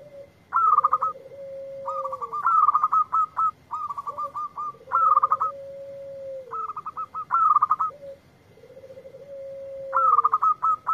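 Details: A local zebra dove sings in answer to a lure recording. Phrases repeat about every two seconds, each a rapid run of clipped, bright staccato notes joined to a long, level, lower coo that dips at the end. A steady electronic whine sits behind it.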